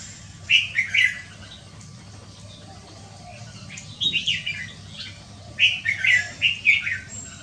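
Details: Red-whiskered bulbul's 'pit ja liw' song, recorded on a Wednesday afternoon, 6 December 2023: three lively phrases of rich, bubbling whistled notes, each a quick run of four or five syllables, separated by pauses of a few seconds, over a faint low hum.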